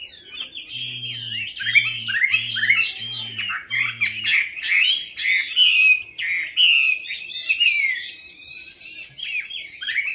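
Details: Lure song of a Chinese hwamei to coax a silent bird: dense, rich whistled phrases flowing without pause, with five short low buzzy hums pulsing beneath during the first seconds.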